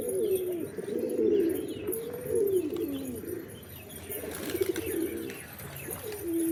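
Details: Pigeons calling, possibly fancy or fantail birds kept in a loft, giving low, overlapping cooing phrases that rise and fall, several voices at once with short pauses between bursts.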